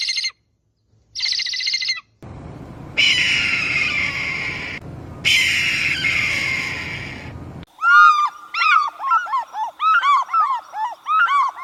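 Eagle calls in spliced bursts: thin harmonic squeals, then harsh, noisy screeches, then a fast run of high, arching whistled chirps.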